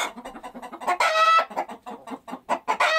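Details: Chickens give rapid soft clucks about every tenth of a second, interrupted by a loud rising cackle and later sharp squawks among the steady clucking.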